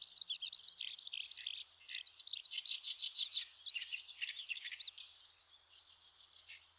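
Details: A Eurasian skylark on a riverbed in the Shinetsu region of Japan in May pours out a rapid, unbroken stream of high, twittering and trilled notes for about five seconds before fading away.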